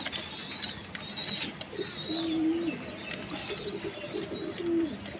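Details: Jacobin pigeon cooing: several deep, drawn-out notes spaced about a second apart, over a background of thin high chirps and hiss.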